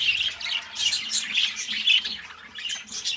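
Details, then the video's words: Pair of pet budgies chattering: clustered shrill chirps and raspy squawks in short swelling phrases, a rough pulse about every half second. "Parrots singing beautiful birds voice beautiful budgies birds sounds"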